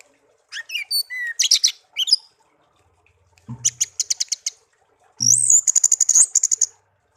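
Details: Tame pet songbird raised from young after being found in a garden, kept one year. Varied whistled phrases are followed by two long fast trills of rapidly repeated high notes.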